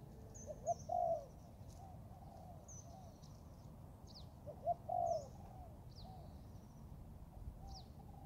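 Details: Young Thai-strain spotted dove training in the forest: two low, mellow cooing phrases, one near the start and one about four seconds later, while other birds give thin high chirps and whistles in the background.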